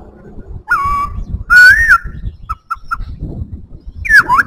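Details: White-browed laughingthrush singing clear whistled phrases: a rising note, a long wavering whistle, three quick short pips, then a swooping slurred figure, over a low rumbling background noise.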